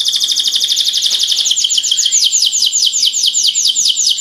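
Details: Five canaries sing a training song: a loud, continuous high trill of rapidly repeated notes, the later syllables sweeping downward about two to three times per second, with a fainter buzzy layer above.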